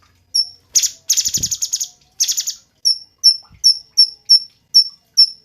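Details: Cungkok singing as a tutor recording for cage songbirds. It opens with three dense, buzzy rattles in quick succession, then gives a steady series of clear, high, downslurred chirps spaced about half a second apart.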